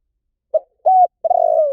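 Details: Spotted dove call: a short low coo, a fuller second note, then a longer drawn-out, slightly vibrating crooo that slowly falls, mellow and soft.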